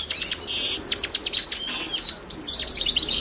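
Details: Short burst of Himalayan goldfinch song, Carduelis caniceps: quick high chirps, a buzzy trill and thin slurred whistles in rapid succession.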